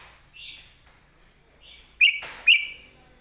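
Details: Red-whiskered bulbul, master song ('phleng mae bot') with clear phrasing: soft, drawn-out whistles, then two short, sharp, bright notes half a second apart.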